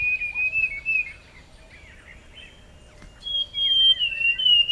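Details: A Forest scrub robin (Cercotrichas leucosticta) sings clear, high whistled phrases, a wavering warble, a short pause, then a long sweet whistle that slowly falls; faint background hiss; recorded 20 August.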